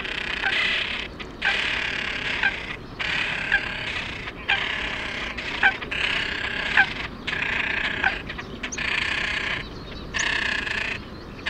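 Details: Great crested grebe giving harsh, rasping calls in bursts of about a second each. The bursts repeat steadily with brief gaps throughout and are loud and dense.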